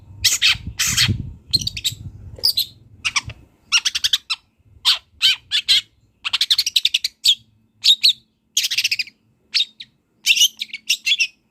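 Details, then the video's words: Wild long-tailed shrike in full song filled with mimicked phrases, recorded for training songbirds; rapid bursts of varied high chips, trills and scratchy notes in quick succession, a low rumble at the start. "CENDET GACOR BONGKAR ISIAN"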